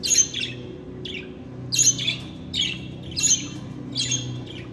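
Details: Pet budgerigars giving sharp, high, slightly squawky chirps in bursts about every second, with a low hum beneath.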